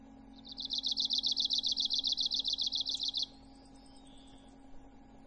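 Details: Arctic warbler song: a brisk trill of rapidly repeated, dry, high notes running almost three seconds, followed by a few faint soft notes and a continuous low hum.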